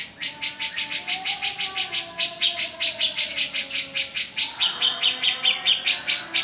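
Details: Energetic cica jenggot song, said to set quiet birds singing within a minute: a long, even series of bright high chips, roughly two per second, shifting to a slightly lower pitch near the end, with a soft steady hum beneath.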